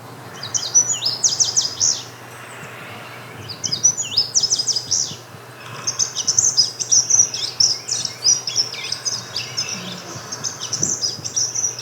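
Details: An Indigo Bunting in Appalachia sings high, bright, sweet phrases, repeating each note in its typical couplets or triplets, the phrases coming in bursts over a faint low hum.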